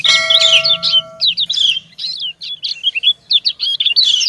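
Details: Female white-eye answering a male: a steady flat tone overlaps fast high chirps at first, then a run of quick thin twittered notes, roughly two or three per second.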